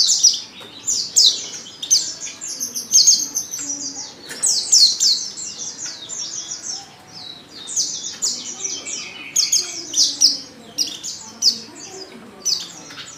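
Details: Female Oriental white-eye lure call to make males sing: a long run of high, thin, chattering descending chirps and twittering phrases, fairly continuous, with slight background noise.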